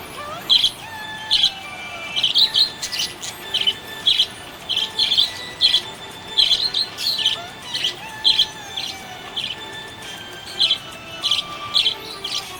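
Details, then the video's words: Cheerful budgerigar giving rapid high chirps in clustered bursts, some doubled, recurring about every second across the stretch, with faint warbled notes beneath and a light constant hiss. "Happy budgie chirping sound"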